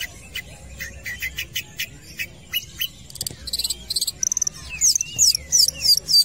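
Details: Long-tailed shrike singing actively at a football field: a run of short, sharp, scratchy notes, at first spaced and then coming faster, ending in thin high down-slurred whistles, with a low background hum.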